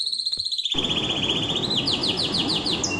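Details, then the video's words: Excited canary pouring out a rapid, even high trill that rises slightly, then breaks into a quicker series of descending chirps, over a steady hiss. "تغريدة طائر الكناري"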